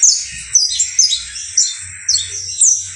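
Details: Criollo saffron finch in full song: sharp bright chirps and quick downslurred notes at a high pitch, strong accents roughly every half second over continuous twittering.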